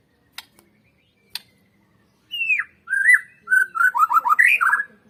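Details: White-rumped shama song meant as a lure to provoke other birds to sing: two sharp clicks, then a falling whistle and a quickening run of rich, looping warbled notes.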